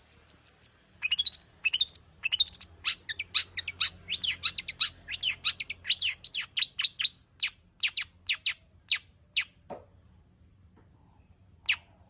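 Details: Cendet, or long-tailed shrike, in a lively full-material song meant to prompt singing. A long run of quick sharp chirps and slurred whistles thins into widely spaced notes, with a low falling sound near the end.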